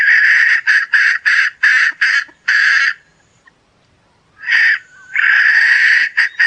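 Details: Hen producing quick harsh clucks in a rapid series, then a silent pause of over a second before a long rasping note and more clucks resume.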